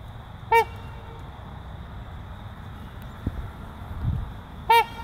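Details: A breeding pair of trumpeter swans: one brief, brassy, nasal honk, then about four seconds of faint low background sound, then a second matching honk.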